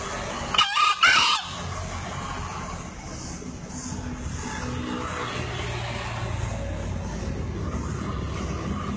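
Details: A two-year-old green junglefowl from Lombok, a 2016 crowing-contest entrant, crows once with two hoarse notes, the second longer. A low vehicle rumble and background noise fill the remaining seconds.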